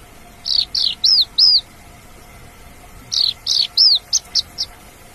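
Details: A wild Javan bush lark gives two phrases of four to six high, arched whistled notes, the later notes shorter and sharper, separated by a pause of about a second and a half.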